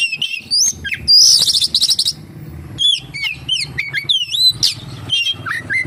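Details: Oriental magpie-robin song with kapas tembak imitations: opening whistles, then a fast buzzy rattle, followed by looping whistled slurs and sharp chirps over faint low background hum.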